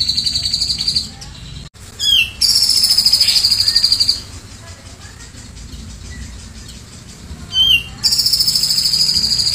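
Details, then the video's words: Grey-cheeked bulbul performing 'tembakan cililin' song for training other birds: brief clipped upslurred whistles lead into sustained, shrill, machine-gun-like pulsed trills; a quieter gap with faint low chatter separates two bursts. "BURUNG CUCAK JENGGOT GACOR‼️Burung masteran tembakan cililin"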